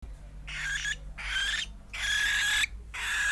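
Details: Young pet cockatiel, almost four months old, making a persistent strange noise after its cage is opened. Four harsh, raspy, hissing bursts of about half a second each, with faint tonal streaks and short silent gaps between them.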